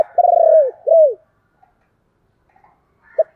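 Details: A decoy spotted dove calls in thúc style, giving a long, throbbing coo that drops at the end, then one rounded falling coo, silence, and a short note starting a new phrase.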